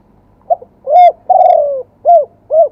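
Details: Spotted dove in live song, wild-voice style with two 'kuk' notes. A single complete phrase: a quiet opening note, a ringing hoot, a drawn-out falling purr, then two crisp closing hoots, mellow and low-pitched.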